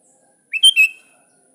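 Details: Sooty-headed bulbul calling a rival with one brief, clear phrase of three whistled chirps, rising then level, against silence.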